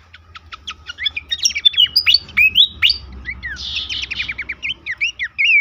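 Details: Horsfield's babbler, played to coax caged birds into frequent singing: a busy, varied stream of clicks, rising whistles and buzzy trills that grows louder toward the end, over faint low hum.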